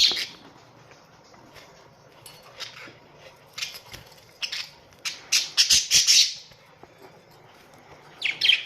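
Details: Australian budgerigars in a colony, kept as pets: scattered short, harsh chirps and squawks, sparse at first, then a dense burst of rasping calls near the sixth second and another at the end.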